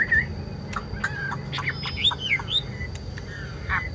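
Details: Chinese hwamei giving a brief burst of song: a clear whistled note followed by scattered sharp upward and downward slurs, with a low hum underneath.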